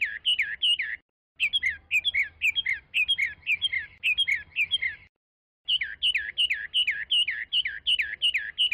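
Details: Chinese hwamei singing: loud, rich whistled phrases of looping notes repeated rapidly in long runs, broken by two short pauses, with a faint low hum underneath.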